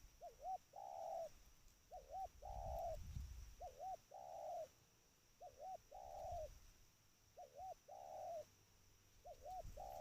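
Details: Tame spotted dove calling: low, soft coo phrases. Each has two short notes followed by a longer drawn-out coo, repeated about every two seconds. Faint low rumbles sound in the background.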